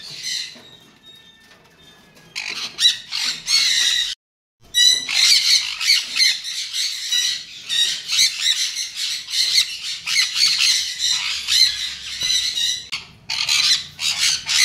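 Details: Several semi-adult aviary-bred sun conures in Palakkad, females and males aged 7 to 14 months, call together in loud, harsh, grating squawks in rapid repeated bursts.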